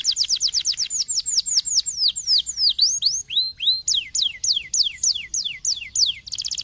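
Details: Canary song meant to stimulate a lazy canary to sing: a rapid stream of high, downward-sweeping whistled notes, about three per second, shifting through several varied phrases and ending in a fast trill.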